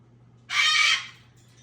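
A pet bird gives one harsh, raspy screech lasting about half a second, loud and broad across high pitches, over a steady low electrical hum.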